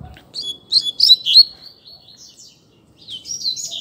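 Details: Double-collared seedeater in a song dispute: a quick string of sweet, high whistled and slurred notes, a brief lull, then another rising twittering phrase.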